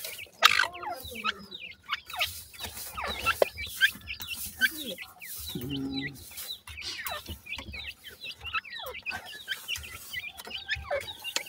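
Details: Captive francolin (teetar) chicks, fed by their mother, fight with her. A constant stream of high, curved peeps overlaps across the recording. A brief low, buzzy note sounds midway.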